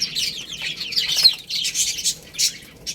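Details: Chicks feeding on rice produce a brief burst of shrill, overlapping peeps and short chirps, some falling in pitch, with quick pecking taps between them.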